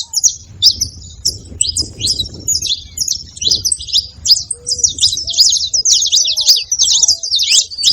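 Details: Saffron finch song made up of fast, high, scratchy chirps packed closely together. The chirps start sparse and thicken into continuous twittering, while quieter, lower whistled slurs sound now and then.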